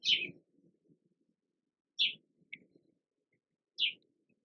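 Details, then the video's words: A Rose-breasted Grosbeak at busy feeders at Plum Creek Nature Center gives three sharp, squeaky high 'eek' notes, each about two seconds apart, over a soft low rumble of background noise. "Sights & Sounds of Nature with a Rose-Breasted Grosbeak"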